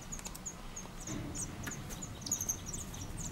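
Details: Black redstart nest in Collado Villalba, 2018: female and male jointly feed caterpillars to five-day-old chicks; thin, very high squeaky notes in quick, irregular bursts over a low background rumble.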